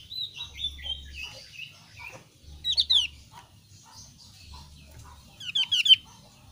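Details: Javan grey-throated white-eye of the thin-browed form giving soft wavering twitters, then a burst of sharp falling chirps, and a final quick cluster of high descending notes.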